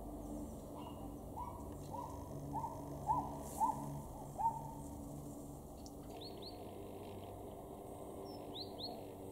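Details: Common blackbirds (Turdus merula) in a garden in Weener, East Frisia, northwest Germany, September 2022: low, clucking tuk notes about twice a second, rising in loudness, then a few high, thin paired notes over a quiet rural background.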